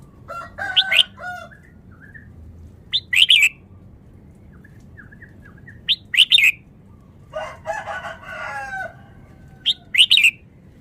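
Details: Vietnamese red-whiskered bulbul in rapid song, delivering short bright warbled phrases every few seconds, interspersed with softer lower harmonic calls and a longer burbling passage near the middle.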